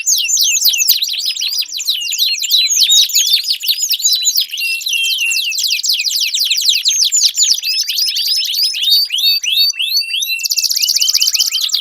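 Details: Long, loud canary song used as a lure to get a silent canary singing. Rapid downward-sweeping whistled syllables run in quick succession, changing to a harsher, buzzy rattling phrase near the end.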